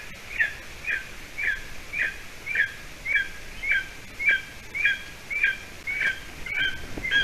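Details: Golden eaglet, about seven weeks old, at its nest in Latvia on the evening of 30 June 2020, as the adult female brings roe deer hide; around thirteen sharp, high two-part chirps, evenly repeated every half second.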